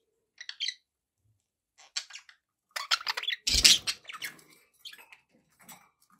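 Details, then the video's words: Pet budgies make sparse chirps and scratchy chatter, with a loud broadband rustle or clatter in the middle. "budgie sounds"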